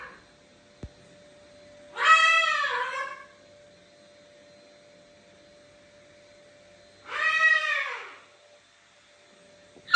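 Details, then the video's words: Indoor female macaw calling from a separate room, with a young male chick sitting on a shoulder nearby: two loud, raucous, rasping squawks about five seconds apart, with a soft click before them and quiet between. "Как кричит попугай ара"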